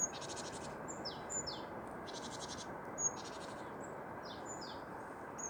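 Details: Tits singing in the wild: high, rapid rattling trills alternate with short downslurred whistled notes and thin piping calls, several phrases over a few seconds above a steady broadband hiss.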